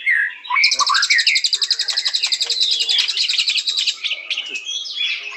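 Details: Song of the white-rumped shama: short upslurred whistles open into a long, fast, high chattering trill, ending in scattered sharp notes.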